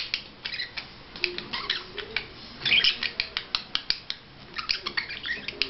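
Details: A budgerigar's courtship display: rhythmic chattering of rasping, squeaky notes, some rising chirps, with a louder scratchy burst near the middle.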